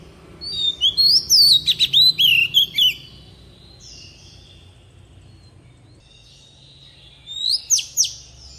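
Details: Oriental magpie-robin decoy bird singing in wild-style voice, played to train young birds' voices: a burst of rapid, high, slurred whistles and sharp chips lasting about two seconds, then quiet, then a short chippy phrase near the end.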